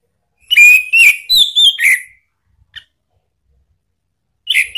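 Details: Lure song of an orange-headed thrush, ngeplong style, for drawing a reply from a kept bird: a quick phrase of five varied whistles, rising then dropping, followed by near silence and a brief closing burst.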